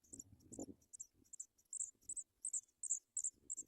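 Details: Paddyfield pipit chicks at the nest being fed by a parent: rapid, thin, very high-pitched notes in irregular bursts, about three per second, over low rustling and handling noises.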